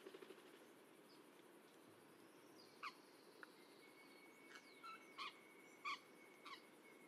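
Indigo-winged parrot giving five short, sharp, squawky notes at irregular intervals over a steady high insect-like whine and soft background hiss.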